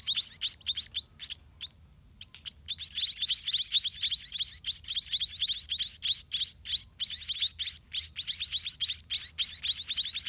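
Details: Begging white-rumped munia nestlings at a garden nest: a few spaced thin chirps at first, then after a short pause a swelling, rapid chorus of high, down-slurred squeaks as feeding begins.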